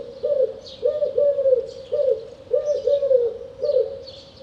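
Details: Eurasian collared dove giving clear, repeated three-part coos, low and hollow, each phrase about a second long and repeated about every second and a half; faint higher chirps from other birds behind.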